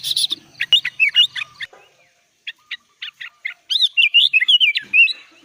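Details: Sooty-headed bulbul singing gacor full isian style: scattered short bubbly whistled notes, a brief pause, then a fast run of rising and falling warbled whistles.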